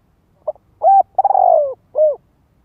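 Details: Spotted dove calling to lure wild doves into a fighting contest; one low cooing phrase of a short note, a rolling trilled middle coo and a falling final coo.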